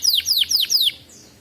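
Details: Canary song used as a lure to teach young canaries to sing: four quick, bright chirps, each sliding downward, run together in under a second, followed by near silence.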